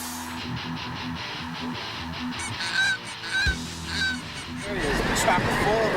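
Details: A huge flock of snow geese passing overhead gives nasal, yelping honks, scattered at first and then swelling into an overlapping flock chorus, over steady plucked music.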